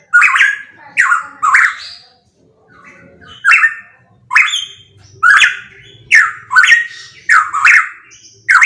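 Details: Strong, close pitohui song made of coarse, squawking notes, each a quick burst that falls away, given in pairs and singles about every half second to a second, with a brief quieter pause midway.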